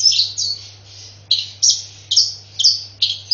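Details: Long-tailed shrike giving sparrow-fight imitations: a series of harsh, descending chirps, some doubled, spaced about half a second apart, with a low steady hum in the background.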